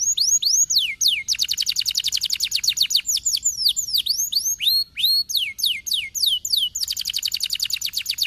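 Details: Loud, continuous canary song played to get idle canaries singing. Repeated high downward-sweeping whistles alternate with rapid, even trills in a nearly unbroken stream.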